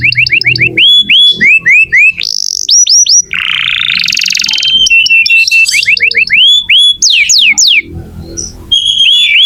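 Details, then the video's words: Vigorously singing canary, used to encourage young or silent canaries to sing: varied tours of repeated upswept whistles, a buzzy rapid roll, more looping whistled phrases and quick descending sweeps, steady and loud throughout. "Kenari gacor untuk pancingan kenari muda atau macet bunyi"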